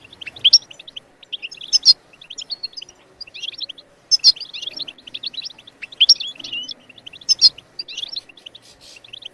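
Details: Goldfinch twittering song to spur other birds into song, dense quick chirping phrases with sharp loud accents recurring every one to two seconds.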